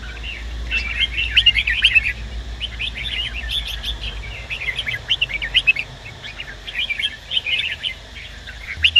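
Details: Male red-whiskered bulbul singing, stimulated by a female during song training: scattered rapid chirping, warbled phrases recurring across the recording, some louder accented notes near the start and end, low hum beneath.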